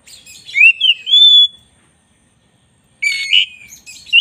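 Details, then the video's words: White-rumped shama, black-breasted type, recorded for master training: a rising slurred whistle followed by a long sustained whistle, a pause, then a dense scratchy warbling phrase. "10 menit masteran kacer dada hitam GACOR"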